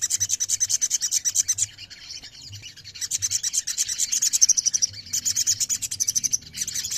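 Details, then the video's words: High, scratchy sogon song: rapid rasping pulses of chirps roughly three per second, broken by a softer, quieter stretch midway before the buzzy rhythm resumes. "TERAPI OMBYOKAN SOGON LANGSUNG BUNYI"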